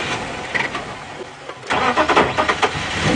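A vehicle engine starts and idles with mechanical rattling, and no animal calls are heard.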